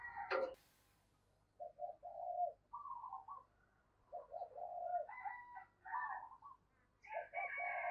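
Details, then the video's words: Female dove calling to stimulate males: low, hollow coos in short bursts of two or three notes, separated by pauses of about a second, with a brief sharp sound at the start and a faint background hum. "Tiếng chim Cu Mái Kích Trống Hiệu Quả"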